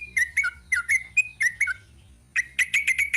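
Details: Sooty-headed bulbul (trucuk) singing in the ropel panjang style: clusters of sharp, bright chirps with downward-slurred notes, a brief pause, then a fast run of ringing notes at the end.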